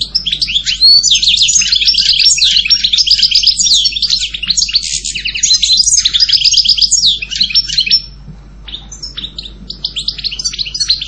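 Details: European goldfinch delivering a long, unbroken outpouring of fast tinkling twitters, buzzes and trills for about eight seconds, then softer scattered chirps.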